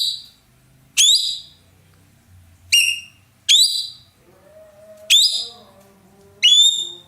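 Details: Ekek keling, a roller prized in Indonesia for its loud voice and used to train other songbirds, giving strong, rasping downward-sliding notes at irregular intervals, while faint lower whistling notes from other birds fill the gaps.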